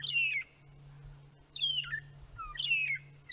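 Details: Three magpie shrikes (Urolestes melanoleucus) at sunset on 10 June 2017 at Djuma Game Reserve, perched in strong wind with long tails blowing, sing a sad, cry-like song: three clear, slurred whistles falling in pitch, about one per second, over a faint low hum.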